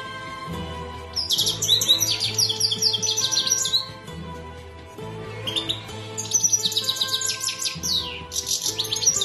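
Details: European goldfinch song: bursts of rapid, high, jingling twitters, each lasting a few seconds, broken by brief pauses. Steady low droning tones sound throughout in the background.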